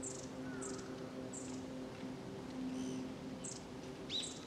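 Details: Warbling white-eye giving thin, very high chirps about every half second over a steady low hum, recorded 2 January 2012; the call is stated to be a long-tailed tit's, not the white-eye's.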